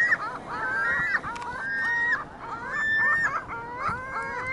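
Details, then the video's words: Gulls on a Michigan City parking lot, a flock calling over one another in a steady clamor of nasal, wailing cries that rise and fall, several voices at once. "Gulls Choir sings"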